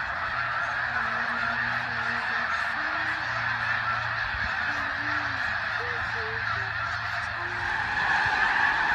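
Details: Snow geese gathered on spring migration at George Reifel Bird Sanctuary, Delta, British Columbia, March 24, 2015. A constant honking chorus is layered over lower, drawn-out droning tones.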